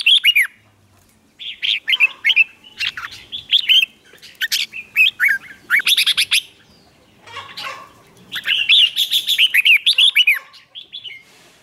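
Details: Red-whiskered bulbul in hót ché contest song, sung to goad other birds into replying; long, busy sequences of rapid warbled whistles rising and dipping, in three main bursts with brief pauses.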